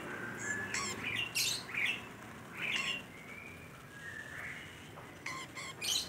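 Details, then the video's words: Quieter, noisier recording of a vigorously calling rainbow lorikeet: a jumble of scratchy squawks, short chirps and upslurred whistles, coming in loose bursts over steady background hiss. "Suara Burung Nuri Pelangi Gacor"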